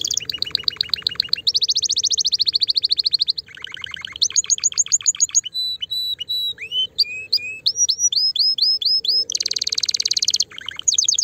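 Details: Canary song meant to stimulate a female for breeding: rapid varied rolls and trills, high buzzy tours alternating with clear rising and falling whistled notes, loud and continuous, faint low hum underneath.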